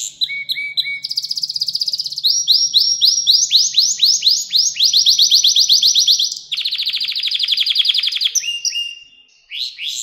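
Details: Song of a canary, used for training young birds to sing: low whistled notes, then long runs of fast rising sweeps, a dense rolling trill and a short pause near the end, with a faint low hum beneath.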